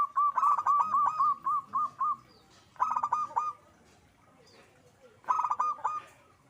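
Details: Zebra dove in active song, giving a long run of quick, evenly spaced cooing pulses, then two shorter bursts of rapid coos after pauses.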